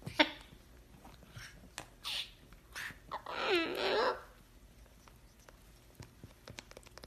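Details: A cockatoo, thought by a viewer to be a juvenile, gives a soft, wavering, nasal call lasting about a second, with a few brief scratchy sounds and clicks in a quiet room.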